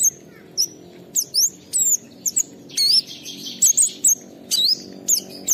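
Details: Oriental white-eye caged at home, a fired-up singer used to provoke other birds: varied high whistles, some wavering and looping, some sharply falling, delivered in short irregular bursts.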